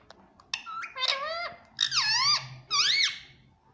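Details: A pet rose-ringed parakeet talking indoors, saying words like "mummy" and "papa" in a squeaky, nasal voice: short clipped syllables, then three longer drawn-out words with rising and falling inflection.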